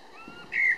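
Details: Eurasian blackbird singing in Berlin-Weißensee, Germany, on 17 June 2012: a short, clear whistled note holding steady then dipping slightly, preceded by faint thin higher tones over a quiet background.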